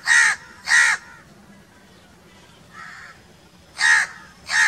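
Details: Two loud, harsh crow caws open, followed by a pause and a softer, more distant caw, then two more strong caws close together near the end.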